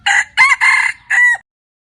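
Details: Rooster crowing in a loud, clear four-part phrase lasting about a second and a half, with a short opening note, two long ringing middle sections and a falling final note, over a quiet background.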